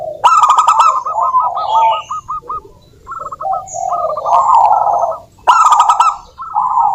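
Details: Actively singing local zebra doves, played to prompt caged doves to sing: rippling series of short, rapidly repeated coo notes in bursts separated by brief pauses, with sharp high chirps from other birds between phrases.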